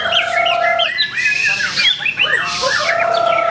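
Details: Wild-caught white-rumped shama recorded at Ciseeng, Bogor, on 10/08/2021, singing a rich run of clear, varied whistles with quick rising and falling slurs over a steady droning tone in the background.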